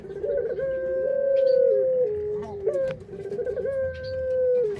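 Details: Kept puter dove giving drawn-out, steady coos near one pitch, each held about a second and a half, with brief dips and a soft overtone above; faint clicks and low room rumble underneath.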